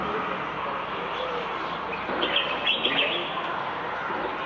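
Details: Common bulbul calling near a balcony in Marrakech, 15 February 2020: a short run of rich, warbled whistles in the second half, over a continuous hum of town traffic.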